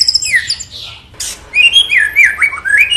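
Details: Long-tailed white-rumped shama in lively song; varied whistled slurs, rising and falling phrases, a harsh burst near the middle, then clear fluty notes sweeping up and down.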